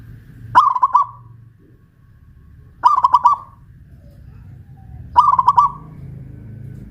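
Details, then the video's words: Zebra dove of the local Pajajaran type, caged and raised on a pole in Kuningan, West Java, repeating its loud rolling song three times, each short burst of rapid cooing notes spaced about two seconds apart. "Perkutut lokal pajajaran jawa barat gacor rajin bunyi"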